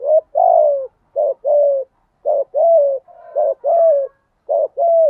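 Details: Spotted dove coos steadily to set other doves cooing. Low notes come in pairs, a short clipped note followed by a longer, smooth, slightly falling coo, repeated about once a second.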